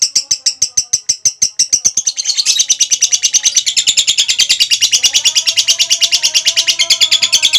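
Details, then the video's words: Female lovebird in long chattering song used as a tutor recording: rapid high sharp ticks speed into a dense, continuous shrill chatter of over three notes per second, with faint lower warbling notes underneath. "Love bird ngekek panjang ampuh untuk masteran"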